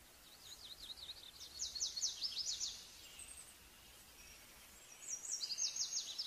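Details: Small niltava giving rapid series of very high, thin zigzag notes in two chittering bursts, the first lasting over a second, the second near the end, with a faint steady hiss in the background.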